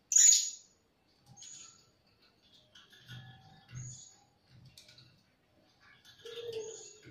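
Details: Blue-crowned hanging parrot lure for trapping: one loud, shrill, high squeak opening, followed by spaced faint thin whistles roughly every second and soft low knocking sounds.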